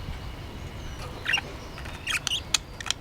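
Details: Small pet budgerigar at play with a homemade toy, giving a quick run of brief high chirps in the second half, over faint room hiss.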